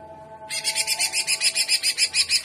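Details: Greater green leafbird song, trotolan jamtrok in 'gaya udang' style: after a brief low hum, a harsh, buzzy, high rattle starts abruptly and pulses steadily about five times a second to the end.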